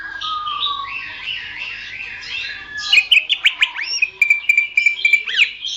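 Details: Greater green leafbird song used to tutor songbirds: soft buzzy warbling with a low whistled undertone, then an excited burst of sharp clicks and chips, a steady stuttering whistle and a final rising slur.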